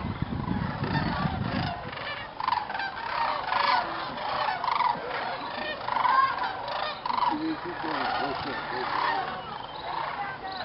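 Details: Massed sandhill cranes, many thousands, assemble in a field at dusk at Jasper-Pulaski State Fish and Game Preserve, Indiana, before roosting; loud, continuous chorus of trumpeting, rolling calls rising and falling in waves, with a brief low rumble at the start.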